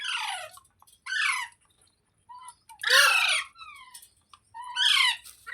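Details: Rose-ringed parakeet, a talking green parrot, giving four loud raspy, word-like phrases roughly one to two seconds apart, each sliding downward in pitch, with small squeaky notes between them.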